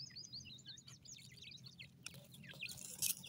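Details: Forest-feeding francolin chicks give dense runs of thin, high, quickly repeated cheeps, with short upward-flicking notes, while scuffing clicks and a brief noisy burst come near the end over a low background hum.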